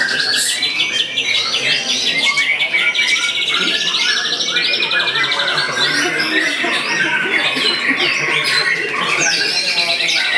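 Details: White-rumped shama performing while bowing low, unloading a large repertoire of copied phrases from one perch; dense, rapid run of varied whistles, trills and chattering notes, high and continuous with few pauses, other voices overlapping faintly.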